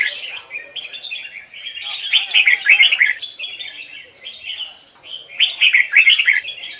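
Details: Training recording of a red-whiskered bulbul giving the double-note Hoài Sơn forest song: two loud bouts of bright, tumbling warbled phrases about three seconds apart, with quieter twittering continuing between them.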